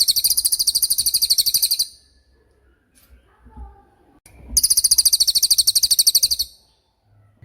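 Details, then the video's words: Songbird training recording of a cililin in tembakan style: two long bouts of quick, piercing high chirps, separated by a few seconds of near silence. "MASTERAN TEMBAKAN CILILIN GACOR DOR,SUPER JERNIH & TAJAM"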